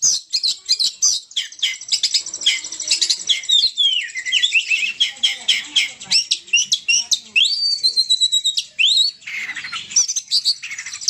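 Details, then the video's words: Oriental magpie-robin singing energetically: a long, rich stream of varied whistles, with rising and falling slurred notes mixed among rapid sharp chips and scratchy fragments, continuous and loud throughout. "Kicau kacer gacor ngamuk"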